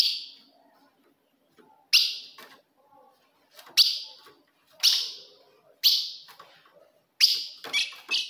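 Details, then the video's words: Female ultramarine grosbeak call for provoking a male: loud, sharp, falling chips repeated about once a second, ending in a quick pair. "se o seu azulão não segura fogo de fêmea Esse é o vídeo"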